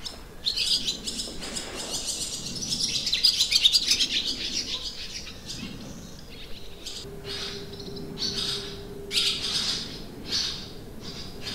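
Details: Barn swallows at a rural Limousin campsite in France, 25 June 2023: a dense, chattering twitter of quick high notes, then separate bursts of chirps, with a low mechanical hum underneath.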